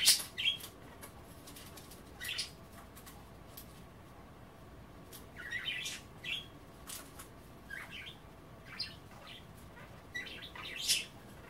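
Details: Pet budgerigars nibbling kale in water at bath time indoors; scattered short chirps and warbled notes every second or two, with sharp broadband clicks between them and a quiet room hum.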